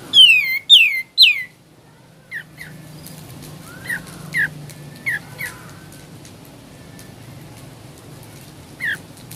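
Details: Sooty-headed bulbul in ngebren-style singing: three loud, harmonic-rich notes sliding down in quick succession, then softer, short falling notes spaced about a second apart over a low steady hum.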